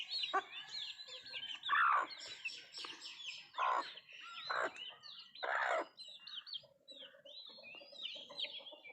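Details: Country chickens feeding, giving loud rough clucks in irregular bursts roughly every two seconds over a steady backdrop of high, thin, arched chick peeps.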